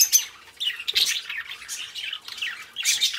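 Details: A pair of pet budgies twittering in short wavering chirps and squeaks, bursts spaced roughly every half second, a soft tap near the one-second mark.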